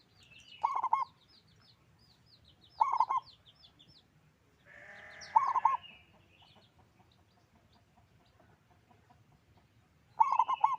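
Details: Loud local zebra dove repeats short rolling coo phrases about every two to three seconds, four phrases in all. High, sweeping chirps of other small birds are heard throughout, and there is a brief rushing noise midway.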